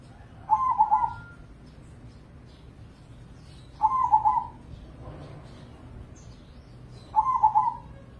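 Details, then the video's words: Crossing-bred zebra dove, or perkutut, from Indonesia. It is a prize-winning contest bird in the 100–250 point class and a frequent singer used as a lure. Three throaty, trilled coo phrases come about three seconds apart, with faint background noise. "Pancingan Pekutut Crossing Gacor Dorr"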